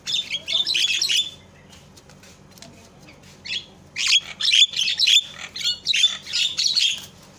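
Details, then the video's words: Javan myna calling, meant to provoke other mynas to call; a burst of scratchy chatter, a long quiet gap, then a run of harsh, rhythmic rasping squawks. "SUARA INI MAMPU BIKIN JALAK LAIN PADA TERIAK"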